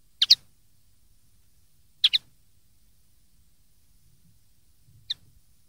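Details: Common linnet song for young linnets to learn, from 2013: sparse quiet double twitters spaced about two to three seconds apart, the last a single faint note.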